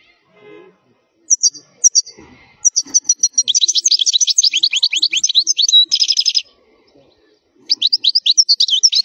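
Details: European goldfinch, the wild-type 'khalwi' song used for teaching young goldfinches to sing: rapid twittering, buzzy and liquid notes high in pitch, dense trills from about the third second, a short pause, then twittering resumes.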